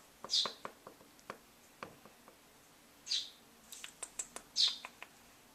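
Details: Baby starling that has learned a door shut means feeding, giving a few high hissy begging calls among soft clicks and taps.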